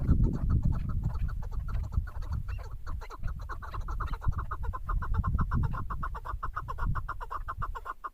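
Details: Female chukar partridge calling: a long run of quick, clipped clucking notes, closely spaced and fairly even, continuing for about eight seconds over a constant deep rumble of wind or handling noise.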